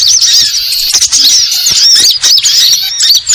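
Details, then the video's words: High, thin sunbird twittering runs on almost nonstop. Rapid upward and downward chirps crowd together, with a few sharper squeaky notes standing out. "Suara Burung Ribut Burcil"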